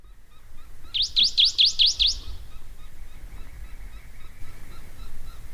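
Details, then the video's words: ['Canyon towhee song: a rapid, ringing series of five or six sharp, looping notes delivered in about a second, over a steady low background rumble.'] "O canto do Toqui pardo ( Melozone Fusca )"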